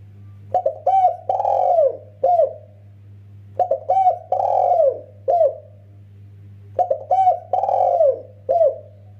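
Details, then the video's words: Spotted dove, male and female calling each other, used as a master recording: three cooing phrases, each of short soft coos then a long rolling coo and a final note, repeated every three seconds over a steady low hum. "suara rapat merdu mersik untuk panggilan jantan dan betina"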